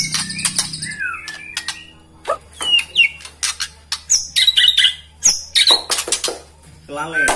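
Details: White-rumped shama singing to rouse rival birds: a mixed run of whistled slides, harsh chips and brief buzzy notes, loud bursts separated by short pauses, with a low hum throughout.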